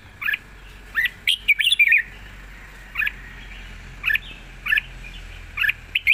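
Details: Caged red-whiskered bulbul giving long song with chatter in wild phrasing: short clear notes that bend up and down, repeated about once a second, with a quick loud cluster early on.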